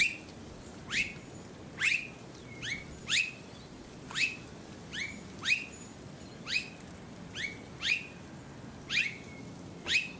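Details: Australasian figbird (Sphecotheres vieilloti) on the Sunshine Coast, Queensland, in October 2022, giving about a dozen sharp, steeply falling 'tchew' notes, each ending in a brief level tail, roughly one per second over a soft hiss.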